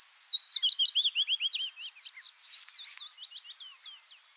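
A willow warbler's sweet, descending cascade of soft whistled notes, starting loud and high and fading gently lower over about four seconds.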